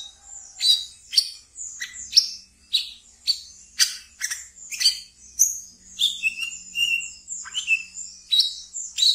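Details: Pet wiceh delivering ngeriwik song, used as a training lure for brown-throated sunbirds: a steady rapid stream of high sharp chirps with occasional lower level whistles, lively and continuous.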